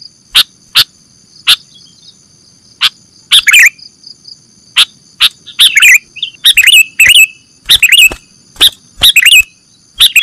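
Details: Sooty-headed bulbul lure recording for catching birds, opening with sparse sharp clicks that build into a lively run of chirps and downward-sliding bubbly notes.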